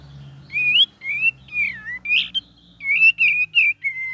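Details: Cream-vented bulbul singing a gacor and ngeriwik variation: a quick string of about ten bright whistled notes, some rising and some falling or wavering, delivered in close succession over a faint low hum.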